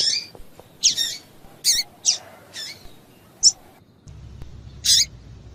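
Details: Female double-collared seedeater calls meant to warm up a male into song: a series of brief, scratchy high chirps, irregularly spaced about half a second to a second apart, with a low hum entering near the end.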